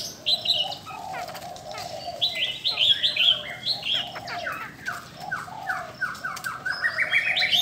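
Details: A female Chinese hwamei used to excite males gives high, clear whistled notes and short descending slurs in irregular bursts, mixed with a low continuous warble and sharp clicks.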